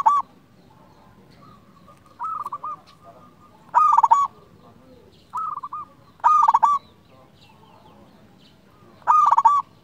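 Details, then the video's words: Local zebra dove singing a long sequence of quick, stuttered cooing phrases. Softer and louder phrases alternate every second or two, over low background noise. "Perkutut lokal gacor"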